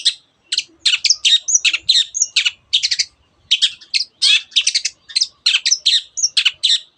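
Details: Long-tailed shrike pouring out a mimicking song with canary and many other birds' phrases: tightly packed twittering notes and warbles in short groups, almost without a break.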